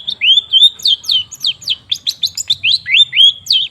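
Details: Long-tailed shrike (cendet) lure song: a steady sequence of clear, swooping whistles, each sliding up or down, repeated about three or four times a second with little variation in rhythm.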